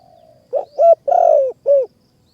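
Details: Spotted dove called in by a caged decoy in mountain forest, Kanchanaburi, Thailand. It gives one deep phrase: a short coo, a brief note, a long rolling purr, then a final falling coo.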